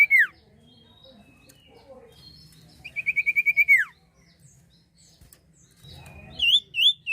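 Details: Common iora song used as a lure for birds: a loud rapid trill of about nine even whistled notes, sharp descending whistles, and upward-curling notes near the end, with faint chirps and low background hum between phrases.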